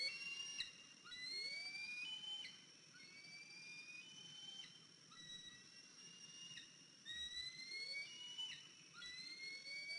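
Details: Eagles at the nest on a mid-April 2023 morning, a fledged eaglet of 103 days back with a limp; a long run of high, thin whistled notes, rising and falling, several in a row, then more after brief gaps.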